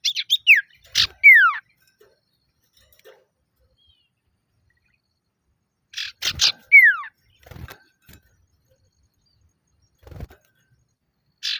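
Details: A vocal male common iora calling out rivals: clusters of scratchy chatter notes and falling whistles open the phrase, a similar phrase returns about six seconds later, with faint low knocks and a final buzzy note.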